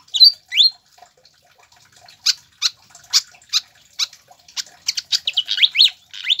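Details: Captive-bird tutoring song of a pied fantail: two loud rising whistles open, then after a pause a series of sharp high chips roughly every half second, ending in rapid rising squeaky slurs.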